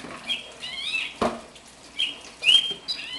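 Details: A captive one-year-old house finch, taken from the nest as a chick, sings in short, high warbling bursts of slurred, rising and falling notes, with brief pauses and a soft rustle or flutter.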